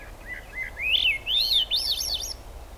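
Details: Rain-soaked Swainson's thrush in song at the Squamish Estuary, July 6, 2022: soft low introductory notes followed by an ascending spiral of ringing, whistled phrases that climb ever higher.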